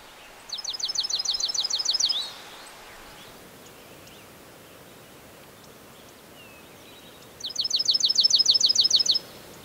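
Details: On Mount Rogers in the Appalachian mountains of Grayson County, Virginia, a Dark-eyed junco sings two even, high-pitched trills of rapidly repeated down-slurred notes, each nearly two seconds long and about five seconds apart, with quiet chirps from other birds between them.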